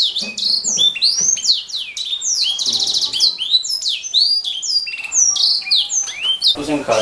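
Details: Canary (kenari) song recorded as a master for songbird training, gacor style: fast sweeping whistles, chirps and a rattling trill, ending in a short burst of broadband noise.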